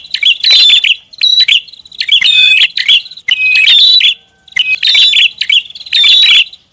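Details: Busy prinia lure call: shrill, scratchy chirp clusters with a few clear whistled notes, given in short loud bursts with gaps of up to half a second between them.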